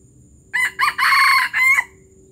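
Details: Junglefowl from Palembang crowing once: two short clipped notes, then a long harsh buzzy middle phrase and a final drawn-out note that ends abruptly, the whole crow lasting about a second and a half over quiet background hum.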